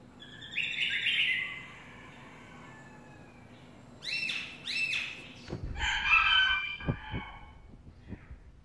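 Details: Black-throated laughingthrush song of bright whistled notes and quick rising-and-falling phrases in separate bursts, mixed with a few sharp knocks or thumps near the end.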